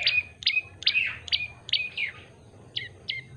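Yellow-bellied prinia giving sharp, bright chirping notes that sweep downward, about two each second, with brief pauses; only a faint low hum behind.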